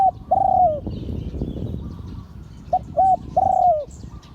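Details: A drawn-out coo that dips at its end finishes one phrase of an auspicious-line spotted dove's 'liu tan' crowing. A second phrase follows: two short hoots, then a long coo sliding downward.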